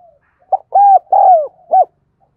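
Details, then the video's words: Spotted dove used as a lure bird, calling in a calling-and-cooing style: one four-note phrase of low hollow coos, a short note, two longer ones, the second sliding down, then a clipped final note. "Tiếng Chim Cu Gáy Thúc Gù Gáy Gọi Mới Nhất || Chim Cu Gáy Mồi"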